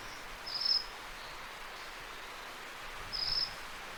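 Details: Two Ryukyu minivets flying through forest, recorded in 32-bit float on a ZOOM M3 MicTrak: two short, high, thin trilled calls about two and a half seconds apart over a steady hiss of insects.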